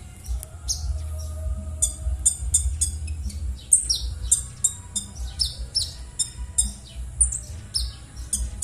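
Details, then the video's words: Konin bird giving its rough call, played as a lure to get silent konin birds singing: a brisk series of high, scratchy, descending chirps repeated many times across the stretch, with a low background hum. "suara kasaran burung konin#cocok_untuk_pancingan_konin_macet_bunyi"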